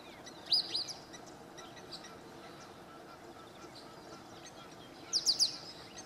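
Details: African pied wagtail on the bank of the Crocodile River, Malelane, Mpumalanga, South Africa, 27 July 2016, gives two brief bursts of sharp, high chirped notes, one near the start and one near the end, over a steady low hum.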